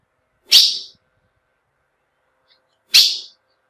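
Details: Two brief, hissing chip notes from a female ultramarine grosbeak, a call meant to stir up males, separated by a long quiet gap.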